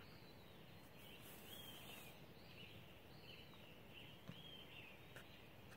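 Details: Dawn chorus in Wolfeboro, recorded 23 June 2016 around 5:14 a.m.: quiet, wavering high-pitched song phrases follow one another every second or so, with a few soft clicks over constant low background noise.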